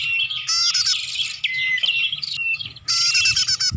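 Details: High, buzzy chatter from a bar-winged prinia lure sound for attracting birds, rapid ticking trills and a short falling whistle, broken by a brief pause before a fresh loud burst.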